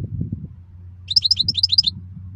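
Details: {'caption': 'Short, fast goldfinch twitter: about a dozen high, crisp notes alternating between two pitches in under a second, over a steady low hum.'}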